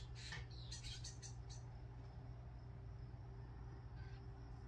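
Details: Baby common starling giving a warning call as a crow comes in to land, recorded 9 June 2023: a cluster of short, harsh, raspy broadband bursts in the first second and a half, then only a steady low hum.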